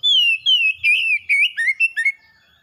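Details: Caged kacer, the oriental magpie-robin, pours out bright whistled notes: long gliding phrases, then quicker choppy bursts that step lower toward the end. Recording is meant to prompt a pet bird that has stopped singing.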